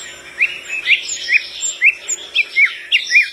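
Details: Flycatcher singing vigorously, described as making other birds reply: sharp, downslurred high notes repeated about twice a second over a soft background.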